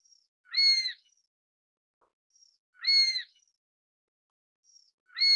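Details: Chinese sparrowhawk (Accipiter soloensis) call: shrill, ringing notes, each about half a second long, repeated roughly every two and a half seconds, with faint thin notes between them in an otherwise quiet setting.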